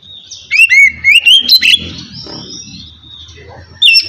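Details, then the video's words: White-rumped shama (kacer) in easy ngeplong song for coaxing lazy birds: a quick series of bright whistled slurs, then quieter fading notes and one more loud phrase at the end. "kacer ngeplong santai ampuh buat mancing kacer malas binyi agar cepat rajin bunyi"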